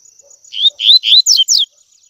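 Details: Tui tui song style of the double-collared seedeater, meant for young birds to learn. Three swelling, upslurred whistles lead into two quick falling notes, a single crisp phrase with a faint steady tone behind.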